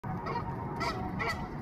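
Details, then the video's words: A newly arrived goose seeking a nesting place in a rooftop garden wiggles its neck and calls for its mate: loud, nasal, harsh, brassy honks in quick succession over a steady low background rumble. "Goose Making Honking Sounds and Neck Wiggling, Calling for its Mate to Come"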